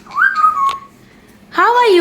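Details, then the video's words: Captive African grey parrot at home greeting its owner: a short whistled rising note held level, a pause, then loud harmonic speech-like phrases with a bending pitch contour. "African Grey Parrot is talking nonstop!"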